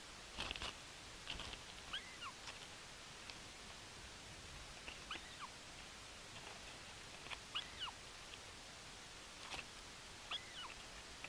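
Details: Bermuda petrel on Nonsuch Island, 13 April 2020, giving faint, high, wavering squeals that slur up and down, repeated every two to three seconds over soft clicks and a steady hiss.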